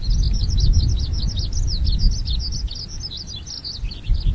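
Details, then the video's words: A Eurasian skylark sings enthusiastically by the seaside in July, pouring out a fast, unbroken stream of high, chirruping and trilled notes, with a steady low rumble of wind beneath. "Skylark is singing enthusiastically."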